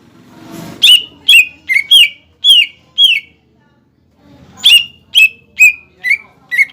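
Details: ['Lure song of a greater green leafbird (cucak ijo), played so that young and newly caught leafbirds will start singing. Two runs of clear, punchy whistled notes, roughly two per second, are separated by a pause.']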